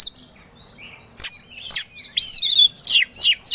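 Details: Oriental magpie-robin (kacer) in provoked, aggressive song. Soft opening whistles give way to loud, sweeping high whistles and harsh bursts in quick succession.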